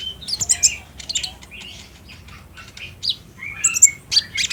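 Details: Olive-backed sunbird song for prompting a caged bird to call. Scattered high chirps and scratchy twitters come in two bursts, separated by a quieter stretch.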